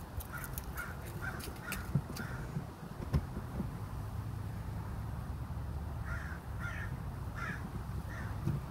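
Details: Minnesota crow producing odd chittering: a quick series of clipped, rattling notes spaced evenly about a third of a second apart, then a quieter stretch, then a second burst of similar clustered notes, over low rumble.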